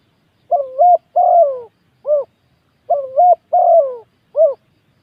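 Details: Spotted dove used as a ground decoy bird repeats its low cooing phrase twice, each a dipping double coo, a drawn-out descending coo and a short final hoot, with a pause between phrases.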